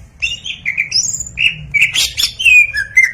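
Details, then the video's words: Greater green leafbird song used to prompt other birds to sing: varied clear whistled notes, some rising, some falling, mixed with brief harsh bursts and sharp chirps in quick irregular succession. "PANCING BURUNG CAK HIJAU CEPAT BUNYI!!"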